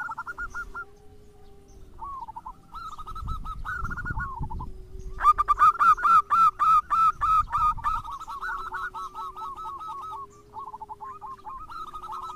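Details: Zebra doves, local and crossbred, heard as a lure to make other doves sing: several birds give overlapping rolling coo phrases, a near dove bursts into loud rapid coo notes mid-way, and a low steady hum runs underneath.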